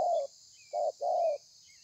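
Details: Wild-caught spotted dove singing thổ pha style, recorded 30/11/2020: a fading long coo, then a short coo and a longer coo in quick succession, steady high hiss in the background.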